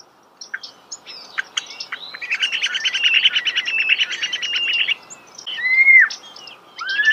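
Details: Starling song close up: scattered high chips build into a fast, buzzy rattling trill lasting nearly three seconds. Two loud down-curving whistles follow.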